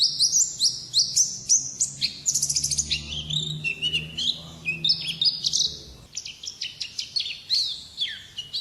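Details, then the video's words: Oriental white-eye singing in wild ngalas style, a long rapid run of high twittering chirps and trills, some quick stuttering series, ending in sweeping descending whistles; a faint low hum underlies the first six seconds. "Suara Burung Pleci Ngalas Burung Kacamata Durasi Panjang"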